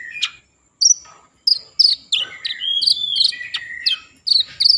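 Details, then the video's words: Common iora song played to stimulate breeding mood and make ioras sing; separated sharp high notes, then sustained clear whistles gliding down and up, mixed with short buzzy chips, in a quiet background. "Konin gacor Mambangkit kan Birahi || pancingan konin agar bunyi"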